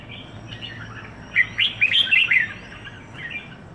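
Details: Caged red-whiskered bulbul, one week in Singapore, singing a short burst of bright, warbled notes rising and falling between mid and high pitch, clustered in the middle of the clip over quiet background hum.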